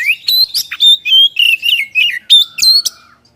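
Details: Short burst of kacer (Oriental magpie-robin) 'gacor' song meant to spur other birds to sing: a string of clear rising whistles and chips, ending in a long, steady, low whistle that fades out.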